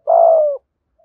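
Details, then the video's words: Single long, level then slightly falling coo of a spotted dove, voice used as a lure for wild doves. "Tiếng chim cu gáy giọng thổ Gù Thúc giọng hay, tiếng thổ hạp bổi nhanh về cội"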